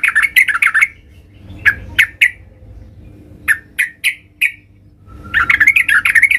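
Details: Yellow-vented bulbul singing loudly and actively while seeking a rival for a singing contest: bursts of sharp, chattering, bubbly notes, fast clusters at the start and end with scattered single chirps between.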